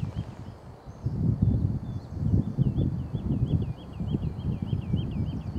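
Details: Woodlark song recorded at Dersingham Bog NR, 28 April 2013: a run of about a dozen liquid, slurred notes repeated quickly and evenly, fading slightly, above heavy low wind rumble.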